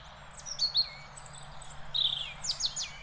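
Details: Singing European robin in Beverwijk, the Netherlands, giving high thin whistles, sharp descending notes and a sparkling trill, the phrases crisp and varied against quiet low background noise.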